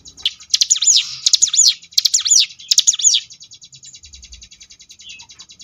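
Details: Sunda bush warbler, ciblek gunung, singing the ngebrem variation for training contest birds: four quick looping high whistles in close succession, then a thin continuous buzzing rattle trailing off.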